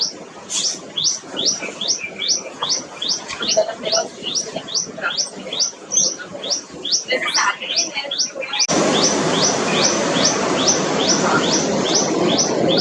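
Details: Tailorbird, a common warblerlike bird of parks, gardens and wooded areas, calling a loud rapid string of sharp rising notes, over two a second, steady through an abrupt shift to a louder noisy background.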